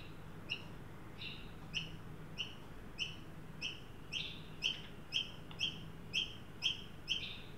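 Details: Australian magpies, adult and juvenile, visiting a freshly set-out birdbath in a Sydney yard during a 43° heat wave on 9 December 2023; a steady series of short, high squeaks, roughly two per second, soft against a low rumble.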